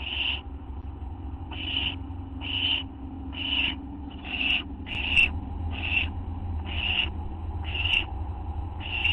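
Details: Owl heard at 11:04 PM on August 24, 2011, part of a group: a run of about ten rasping hiss bursts, one roughly every second, with a continuous low droning hum underneath.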